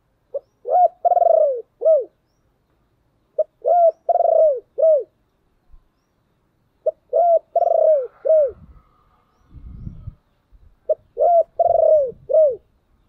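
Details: Spotted dove kept as a decoy, calling to attract wild doves: four repeated cooing phrases of a rolling coo followed by two falling notes, with some low rumbling noise between phrases.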